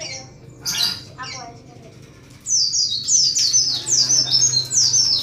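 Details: Lovebird ticking chatter (ngetik), used as a lure to draw out long ngekek song: a few scattered high chirps, then a rapid run of squeaky, high, down-slurred notes repeating about twice a second, over faint low background hum.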